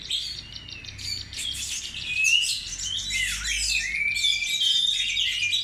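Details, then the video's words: Oriental magpie-robin lure song: dense, high, scratchy warbling with slurred whistles and a downward swoop midway, sung steadily with little pause over faint low background noise. "burung Kacer NEW ROMEO power tembus II pancingan Kacer mewah"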